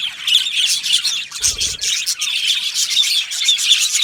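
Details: Aviary budgie colony, Australian parrots giving high squeaky chirps and whistled notes in a steady overlapping chatter, with a soft low thud partway through.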